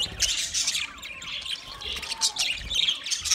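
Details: Budgerigars, twenty pairs, keep up a thick wash of high chirps and grating squawks, many birds calling at once with no gaps.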